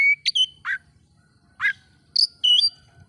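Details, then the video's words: Oriental magpie-robin song meant to stir rival magpie-robins: sparse, spaced notes mixing pure whistles with buzzier downslurred chirps, over a faint low hum. "bikin Kacer Lain ikut emosi coba buktikan dengan suara ini"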